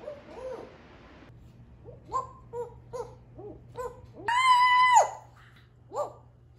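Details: A 16-year-old female African grey parrot of the Congo type, a pet living in Florida, vocalizes indoors in a small room. She gives a run of short hooting notes, then one long, loud, steady 'whoo' with rich overtones, and one final short hoot.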